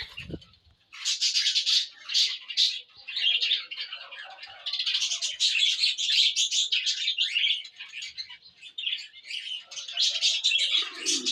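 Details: Several cockatiels keep up a busy run of shrill, scratchy chirps and chatter in quick succession, with a brief low thump at the very start.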